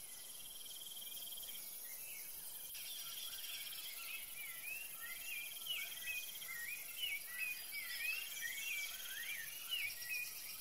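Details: A saffron finch (Sicalis flaveola) feeding on seeds, filmed in Curitiba, Brazil, gives a run of quick, bright chirps and slurred notes, rising and falling, over a steady drone of insects.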